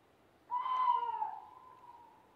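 An owl gives one long, mid-pitched hooting note that sags slightly and fades out over about two seconds, against a quiet background.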